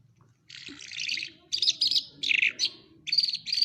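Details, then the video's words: Lark from Quetta singing in rapid bursts of rich, warbling, scratchy notes, each burst about half a second to a second long, delivered in quick succession. "Lark birds of Quetta singing very nice"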